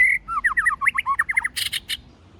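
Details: White-rumped shama singing forest-style song: a brisk series of bouncing, looping whistles followed by a few dry, harsh clicks.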